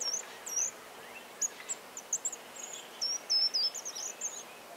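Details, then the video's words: Short-toed treecreeper recorded on 13 March 2018 in the countryside of central France, Nouvelle-Aquitaine, giving very high, thin, sharp notes: a few scattered chirps, then a quick run of piercing, slightly trilled notes toward the end. "GRIMPEREAU des Jardins/Cris et Chant"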